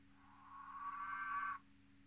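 A button quail gives one drawn-out, nasal, mid-pitched note lasting about a second and a half, over a faint steady electrical hum.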